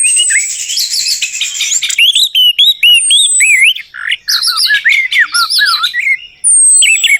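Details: Lure recording of orange-headed thrush song for a bird gone quiet: rapid, varied whistled phrases of looping up-and-down notes, some buzzy trills, and a thin high drawn-out whistle near the end.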